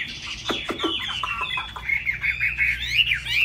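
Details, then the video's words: A laughingthrush with a large fig-leaf tail sings high, opening with a few sharp downward-sweeping notes, then sliding into a sustained wavering whistled phrase with a rising finish. A low background rumble is present. "Hót cao cầu đập đuôi khướu"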